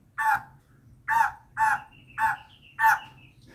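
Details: A female white-crested laughingthrush gives five rough, harsh notes spaced about half a second apart, a decoy call, with a thin whistle from another bird and low background hum.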